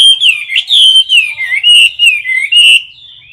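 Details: Competition song of a caged Chinese hwamei filmed up close: loud, clear whistled phrases rise and fall in quick bursts about twice per second, then fade into a softer trailing whistle.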